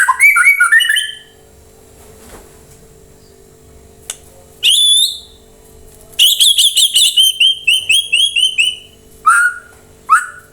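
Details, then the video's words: White-rumped shama singing to provoke replies: fast clusters of high whistled notes, a long sharp upsweep, then a rapid repeated series of short bright whistles and a few lower slurred notes. "Pancingan murai jadikan burung anda ikut nyaut dan gacor"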